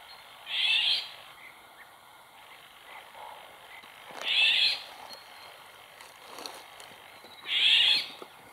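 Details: Female Eurasian golden oriole recorded in the wild beside a pond: three harsh, rasping screeches spaced about three and a half seconds apart, with faint chirps and rustles between them.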